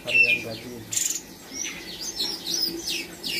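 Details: Captive spotted cucak cungkok, still learning mimicked phrases of other birds; scattered high whistles, downslurred notes and short chirps between quieter gaps, over a low background murmur.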